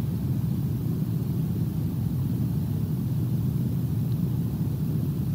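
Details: A steady, heavy low rumble like an engine or passing traffic fills the whole stretch, with no animal calls heard above it.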